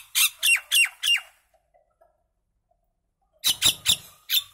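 Common myna giving two bursts of four harsh, squawking notes, each falling in pitch, about four a second, with a quiet pause between bursts.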